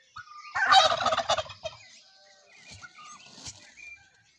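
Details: Criollo turkey gobbling while strutting in the Mixes, Mexico; a loud rolling gobble of rapid harsh pulses in the first second and a half, then quieter scattered clucks and faint chirps from other birds.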